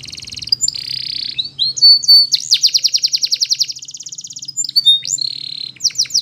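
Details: A canary's training song of buzzy high trills, a loud series of pulsed notes and a long rattling roll, closing with sharp downward chirps.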